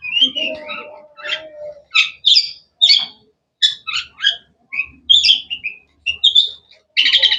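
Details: Varied sharp chirps from a long-tailed shrike (cendet): a lower warble, then a string of separate crisp high notes and short slurs with brief gaps, ending in a dense buzzy burst.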